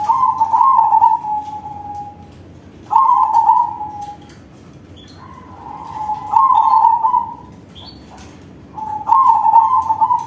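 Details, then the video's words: Zebra dove of crossbred perkutut stock singing: long tremulous coo phrases that trail off downward, four main bursts with softer sustained tones linking them and scattered light clicks. "Perkutut crossing manggung suara besar"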